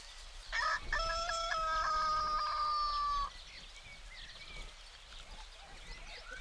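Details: A morning rooster in rural Greece gives one long crow of nearly three seconds. It is steady and strongly harmonic, with a brief rough start, and cuts off abruptly. Faint chirping of small birds continues afterward.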